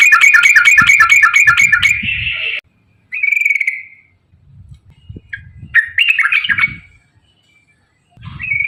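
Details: Rapid ropel song of a yellow-vented bulbul, meant to stimulate other bulbuls to sing: a fast string of evenly repeated bright notes, then scattered short bubbly phrases separated by silent gaps.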